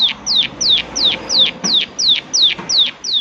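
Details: Prinia calling: loud, high, downslurred chip notes, each sliding steeply downward, repeated about three times a second in an even rhythm against a quiet background.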